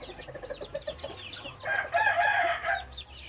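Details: A red junglefowl hybrid rooster crows amid a flock: a chorus of short clucks and chirps gives way to a rasping harmonic crow of about one second. Steady low background hum throughout.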